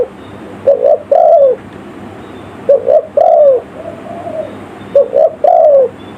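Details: Spotted dove call from a village bird, used as a lure for wild forest birds: low cooing phrases of two short notes and a longer drawn, falling coo, repeated about every two seconds over steady background hiss.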